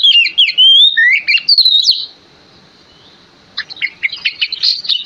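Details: Oriental magpie-robin (kacer) in steady 'gacor' full song, played as a lure to make other magpie-robins answer: rich, rapid whistled phrases with sweeping slurs and sharp notes, a brief pause holding a faint thin tone, then another quick burst of chattering notes.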